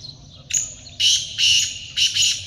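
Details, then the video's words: Black francolin, recorded in a hunting setting, gives a loud harsh call: a scratchy opening note, then three strident, buzzy, grating bursts spaced about half a second apart. "black francolin in action تیتر کی آواز teetar ki awaz"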